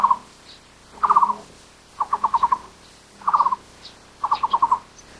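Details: Repeated hollow pulsed bursts of a Taiwan barbet, a forest bird found only in Taiwan, each phrase of about four to six notes, arriving every second or so, with faint higher calls around.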